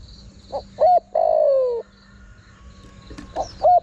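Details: Spotted dove used as a lure for wild birds. One full coo phrase ends in a long falling note, then a second phrase begins with a short note and an arched coo. A low steady hum and high buzz sit underneath.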